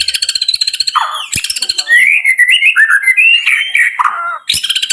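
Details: White-rumped shama song: varied rich whistled phrases rising and falling, mixed with rapid high chattering notes and sharp clicks, delivered in a continuous lively stream.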